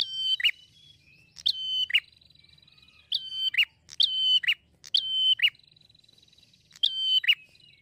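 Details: Prinia song played so that prinias of any kind respond at once: six rapid phrases of ticking notes joined to a level piercing whistle and a falling flourish, coming in quick succession against a quiet background.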